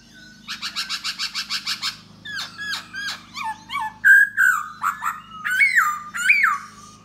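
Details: Male laughingthrush singing while dancing to attract a female: a fast run of harsh rasping notes, then varied chattering phrases and bright whistled notes that rise and then drop sharply, with a low hum behind.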